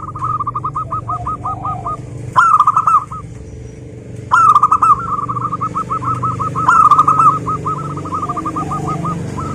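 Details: Local zebra dove singing actively: long strings of quick, evenly spaced hooked notes, with three louder rolled phrases and constant low traffic rumble.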